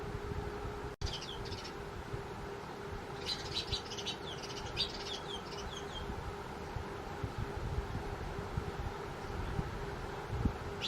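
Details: House sparrows settled into a cardboard nest box give a cluster of sharp, high chirps for about three seconds mid-way, then fall quiet, leaving a low rumbling background and a steady faint tone.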